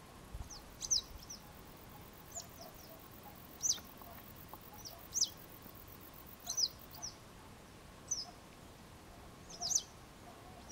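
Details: Repeated high, thin, falling call notes of a Western yellow wagtail, some doubled, coming every one to one and a half seconds against a low hum and soft background noise.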